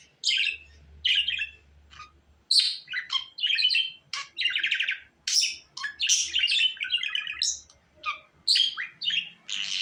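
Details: Long, lively budgerigar warble of sharp chirps, rattles and scratchy trills, run together in restless phrases separated by short breaks.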